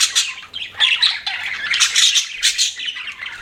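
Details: Short stretch of budgie chatter: rapid high chirps, clicks and raspy squawks from pet birds, rising and falling in quick waves.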